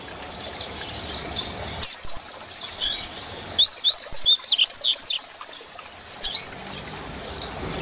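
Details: Double-collared seedeater, 'grego' song style, used as a model for learning birds: a few isolated high notes, then a fast, tight sequence of sharp, sliding whistles around the middle, with other high chirps behind.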